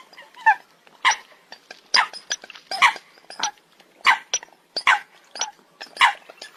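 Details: Coot making harsh, rasping, explosive notes roughly every half second, rougher and noisier than clean honks.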